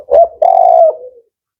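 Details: Male spotted dove known as a 'Kuk 4' singer giving one short rounded coo, then a long, firm, level coo that tapers softly away.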